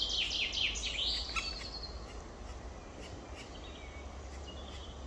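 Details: Opening burst of rapid, shrill, chattering calls from two black woodpecker nestlings, 23 May 2023, 19:43, fading into quiet background hiss after about two seconds.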